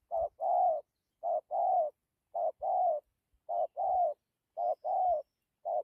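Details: Spotted dove decoy bird cooing in gù style with dặm: each phrase is a brief hoot followed by a longer rounded one, repeated evenly about once a second, with faint low thumps.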